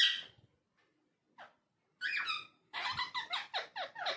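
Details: Talking parrot in a small room: a sharp squawk, a short pause with a faint note, then a chattering run of rapid harmonic syllables to the end.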